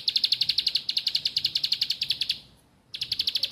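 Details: Bar-winged prinia song played to coax quiet birds into singing: a fast, even series of sharp high chips, roughly eight per second, breaking off into a pause near the end before the rapid chipping resumes.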